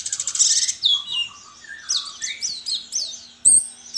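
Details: White-eye entered in an online singing contest, from Sambas, West Kalimantan: a buzzy high trill opens, followed by descending slurred whistles and a run of bright repeated chirps, with one sharp click near the end.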